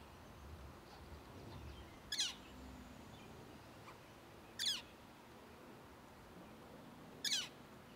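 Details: Northern flicker chick calling for its parents at Arrowhead Lake, Orland Park, Illinois, on 18 June 2023, giving three short, harsh, buzzy bursts about two to three seconds apart, over a faint low background hum.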